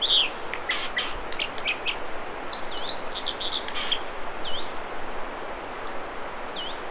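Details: American dipper song from the Mamquam River spawning channels near Squamish, British Columbia. Scattered high chips and a few swooping, U-shaped whistled notes are spaced out over a constant loud hiss.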